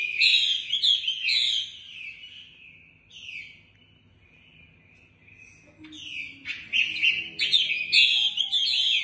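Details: Female Chinese hwamei, a caged bird in Hanoi used as a lure to excite males, gives bursts of loud, clear whistles sliding downward. A near-silent gap of a few seconds separates dense, rapidly repeated phrases.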